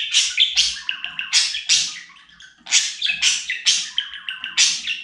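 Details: Talking pet budgerigar giving bright, scratchy, fast-paced chatter: loud rasping bursts alternating with quick chirped and whistled notes, with a brief lull near the middle.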